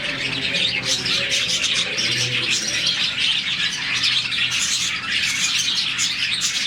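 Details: A colony of around 40 budgies chirps in the morning, a sound linked to contentment. Dense high twittering fills the whole stretch over a faint, low, steady hum.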